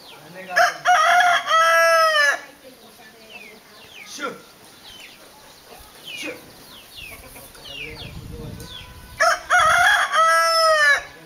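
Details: Hen with chicks, the hen training them to search for food; two long, loud, harmonic drawn-out calls, about two seconds each, open and close the passage, with soft descending peeps from the chicks scattered between them.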